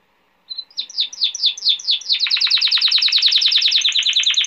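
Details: Male canary singing a tutoring song for young canaries: a trill that starts softly and speeds up into a dense, steady stream of rapid repeated notes.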